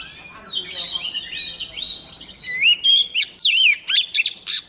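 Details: Singing female Oriental magpie-robin, used to provoke a whole row of males into song: a long thin descending whistle, then loud looping whistled notes and sharp chips in quick succession.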